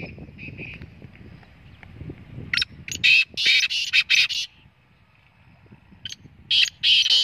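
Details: Black francolin calling: loud, harsh, grating notes delivered in a rapid cluster of bursts, then a pause and a second shorter cluster, over faint low background noise.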